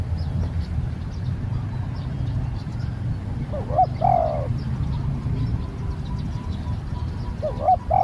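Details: A Spotted dove taken out for training as a new bird gives a coo phrase midway: short clipped notes, then a longer hoarse coo that slides downward. The start of another phrase comes at the end, over a constant low rumble.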